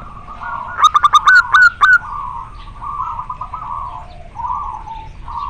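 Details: Local male zebra dove calling to a female, singing actively and very clearly: a quick burst of sharp staccato cooing notes, then softer rolling coo trills repeated through the rest of the clip.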